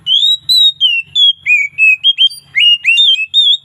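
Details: Oriental magpie-robin singing in the relaxed, loud 'ngeplong' style with varied phrases in the afternoon: a steady run of clear, high whistled notes, some sliding up or down, many short bursts per second with brief gaps.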